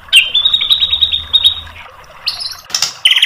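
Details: Provoking tutor song of a white-rumped shama: a long, level, buzzy trill lasting nearly two seconds, then a pause, a brief rising buzz, a harsh scratchy burst and a sharp trill at the end.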